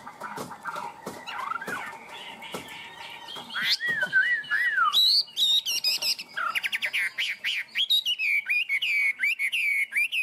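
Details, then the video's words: Caged Chinese hwamei with strong high singing: soft scattered notes build into loud varied whistles, then a rapid chain of sharp, high repeated notes and looping slurs. "Chim họa mi thuần, hót tốt, hót cao cầu"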